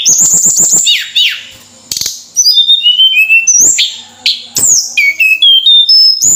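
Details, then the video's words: Caged Javan sunbird in Indonesia delivering an energetic high song: a fast stuttering series of chips, then thin whistled notes stepping down and up in pitch, loud and varied. "Suara Burung Tledekan Gacor"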